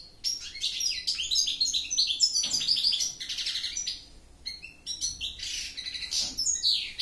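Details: Goldfinch song in several bursts of fast liquid twitters, buzzy trills and sharp high chips, separated by brief gaps, with a faint low hum in the background.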